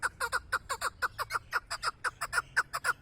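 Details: Chukar partridge, a hunting bird, calling in a fast steady series of harsh clucking chuk notes, roughly two per second, each note sliding downward with a rich buzzy tone; no other clear sounds.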